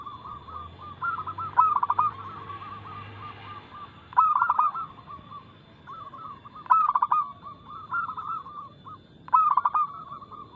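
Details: Local zebra dove giving a fast, loud, clear song used as a lure for caged doves. Four bursts of clipped, rapid cooing stand out over an unbroken background of other doves cooing.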